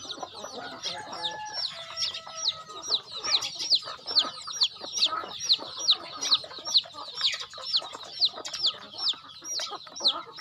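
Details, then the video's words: Chickens at feeding time on a rural farm keep up a steady, pulsing series of shrill falling peeps, roughly two a second, from many birds together. "Feeding chicken in my farm"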